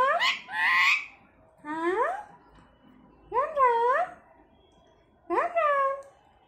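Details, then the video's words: Talking Alexandrine parakeet imitating human words such as "Ram Ram", giving four separate harmonic, voice-like phrases with rising and falling pitch sweeps, spaced by short pauses indoors, with faint music in the background. "राम राम बोलने वाला तोता || Alexander Parrot voice || Talking Alexander Parrot"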